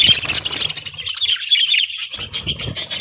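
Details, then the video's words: Budgerigars chirping: busy, scratchy warbling chatter with a short quieter spell, over some low background noise. "Beautiful Budgies Chirping Sound"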